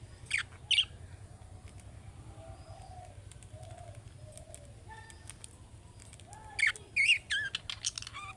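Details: Budgerigar calling in the manner of young birds to draw replies from other budgerigars: a pair of raspy chirps at the start, a quiet gap, then a rapid cluster of warbled, chattering chirps at the end over low hum.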